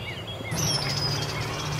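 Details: A gathering of birds the recordist thinks might be cowbirds courting, 12 April 2015; one gives a thin, very high whistle sliding slightly downward, under a second, after soft chirps, over steady low rumbling background noise.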